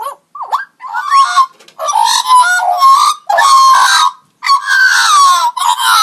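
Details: Magpie making unusual robot-like sounds: a quick swooping whistle, then long loud harsh rasping phrases with buzzy overtones, separated by short pauses.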